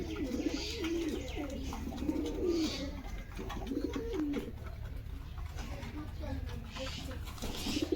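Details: Local fancy pigeons in a small enclosed space, repeated low throaty coos with rolling, wavering notes every second or two, against a steady low hum and faint background rustling.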